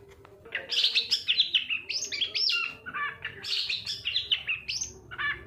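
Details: Long-tailed shrike lure song meant to make quiet shrikes start singing. Rapid, scratchy high chatter in three clustered bursts, notes sliding downward, separated by brief pauses over a faint steady hum.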